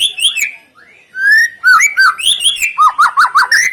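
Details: White-rumped shama singing, played as a lure to make other birds answer: sliding whistles after a brief lull, then a steady run of about six repeated slurred notes.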